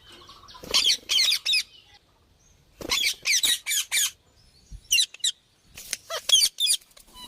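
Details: Parrot making its natural sound: rapid clusters of high, raspy squawks, four or five per burst, separated by short pauses, the last burst ending in a wavering shriek.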